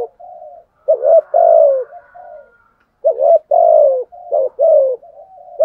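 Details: Cooing decoy spotted dove meant to provoke other doves; gentle low murmurs lead into two loud phrases of clipped notes and long, downward-sliding hoarse coos.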